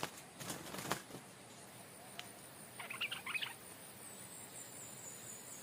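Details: Captive-raised stripe-throated bulbul used as a decoy, which had never been in the forest, taken back to where it was caught, where a new territorial bird now lives; one brief burst of bubbly, jumbled chatter amid steady background hiss.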